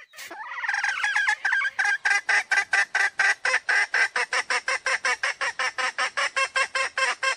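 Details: Wild female chicken (hen) calling: a rising opening note, then a long steady series of harsh, nasal clucks, about four every second, evenly spaced and unchanging.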